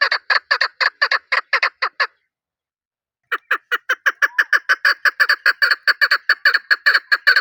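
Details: Chukar giving rapid chuk-chuk clucking notes in two bursts: a brisk run of about ten notes, a second of silence, then a longer, louder series that keeps going to the end.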